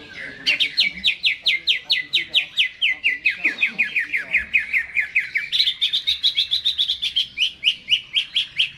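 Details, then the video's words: Greater green leafbird singing in its cage before hanging: an energetic, evenly spaced string of crisp whistled notes that glide gradually lower, then jump higher and continue at a rapid pace. "CUCAK HIJAU GACOR...Sebelum di gantang"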